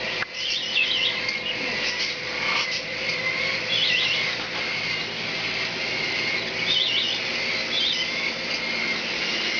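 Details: Hand-fed, hand-tame young cockatiel, aged 4 to 16 weeks and of unknown sex, gives short, high, squeaky chirps in small bursts over a steady hiss; babies head-bob when wanting food.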